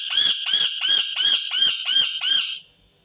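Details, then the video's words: Rapid series of seven harsh, ringing screams from an Indian ringneck parakeet, evenly spaced at roughly three per second, then abrupt silence. "صوت ببغاء الدرة الهندي"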